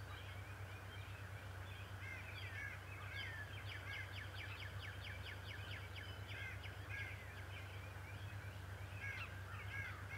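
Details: Male bald eagle at Decorah on a March 2018 morning, grass and a feather hanging from its beak: rapid series of high, thin chittering notes, evenly repeated for several seconds mid-clip, over a steady low hum.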